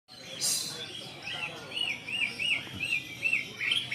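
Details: White-rumped shama singing agitatedly on seeing a rival: a distant series of repeated arched, slurred whistles, roughly one every half second, each rising then falling, after a brief hissy note at the start.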